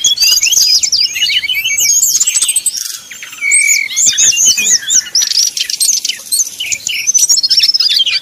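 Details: Sumatran red-crowned leafbird song in a fighting style as at a song contest: dense, high, rapid twittering with fast trills and repeated hooked whistles, loud throughout with a brief dip midway.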